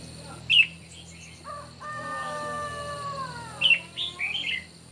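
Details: Morning singing contest of red-whiskered bulbul: one sharp whistle, then a long set of smooth, lower, gently falling tones, followed by a rapid chattering phrase of several bright notes. Constant high hum stays in the background.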